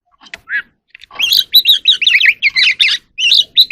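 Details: Oriental magpie-robin from the wild, singing in the evening while dancing. Soft scattered notes open into a fast run of varied warbled, twisting whistles that follow one another almost without a break.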